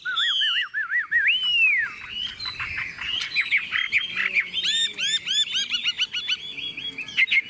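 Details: Tame Chinese hwamei singing from a cage that is being carried and shaken, opening with a wavering trill and a long falling whistle, then a dense, rapid medley of looping whistles and chirps.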